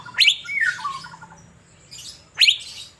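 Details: Sunbathing caged Asian fairy-bluebird in Banjarmasin gives a loud, sharp rising note trailing into a short warble, then repeats the bright note about two seconds later.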